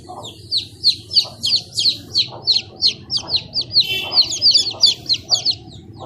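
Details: Chicks giving a rapid run of shrill, high peeps, roughly three or four each second, each a short downward-sliding chirp. Soft, lower clucking notes sound underneath, over a steady low background hum.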